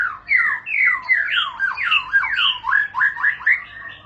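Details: White-rumped shama giving a long rolling ngerol song: loud, fast series of whistled notes that sweep down then up, repeated roughly three times a second, clean with no other sounds.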